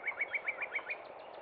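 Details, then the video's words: Spring song of a northern cardinal at Cub Run, a rapid even series of seven clear whistled notes, evenly spaced and fading at the end, with soft hiss behind. "Northern Cardinal Song"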